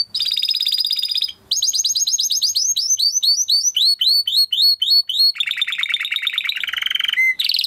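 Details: Timbrado canary singing a training song in continuous tours: a buzzing high trill, repeated rising-falling sweeps, then a lower rolling trill and a final clear whistled note.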